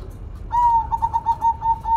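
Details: Zebra dove of a golden variety in lively song, giving a quick string of short, bright, staccato coos at one steady pitch, roughly six notes in a second and a half, over low background hum.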